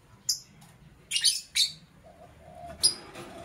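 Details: Morning chirping from a lovebird: a few sharp, high, scratchy chirps spaced irregularly, with a faint lower tone between them.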